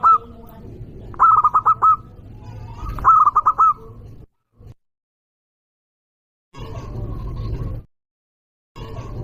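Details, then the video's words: A local zebra dove gives a loud luring call to provoke rivals. Three quick, rolling coo phrases are followed by silent gaps and bursts of low rumbling noise. "Perkutut lokal gacor suara keras juaranya burung perkutut"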